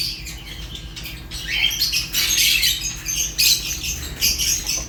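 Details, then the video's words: African lovebirds, Fischer's named, start with soft scattered chirps, then break into louder rasping squawks and twitters, irregular and overlapping, over a low hum. "African lovebirds chirps sounds | تغاريد فيشر غندور روز"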